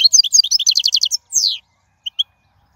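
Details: Wild European goldfinch, singing a song used to teach chicks: a quick rattling sequence of about a dozen evenly spaced chirping notes, then a drawn-out descending buzz and two faint short chips.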